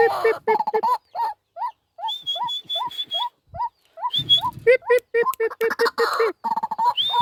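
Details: Pet White-breasted Waterhen kept as a hunting decoy, calling to lure wild waterhens: a series of short upslurred hooting notes repeated about three times a second, broken by harsh croaking bursts, with a thin steady whistle overlaid at times.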